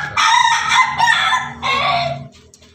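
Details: Ayam Ketawa rooster crowing in the afternoon, a long loud crow broken into three choppy, laugh-like segments that trail off softly, over a low rumbling background.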